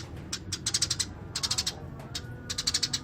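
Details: Eurasian tree sparrow in full song: quick rolling runs of sharp high chirps, several notes a second, three bursts over a low humming background.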